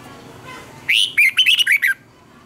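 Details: Red-whiskered bulbul singing a twisting double-note phrase as a training song for caged birds. A long first whistle leads into five quick, bubbling notes, all within about a second.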